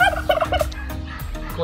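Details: Turkey at a farm raising over a thousand fowl at a resort in Jumailiyah, Qatar, in March, on a breezy day; a quick bubbling gobble of rapid warbling notes in the first half, followed by fainter background sounds.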